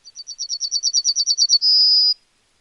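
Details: Singing Yellowhammer in a calm countryside setting: a steady, quickening rattle of about fifteen high, clipped notes that grow louder, ending in one long, sustained, level whistled note.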